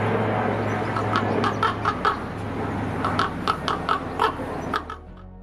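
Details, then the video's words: Common raven, UK, giving its croak call, one of its most used: a quick series of about ten hoarse, hollow croaks over five seconds, with soft background music. "Ravens sometimes Gather in large flocks especially when feeding during the winter and one of their most used calls is described as a croak"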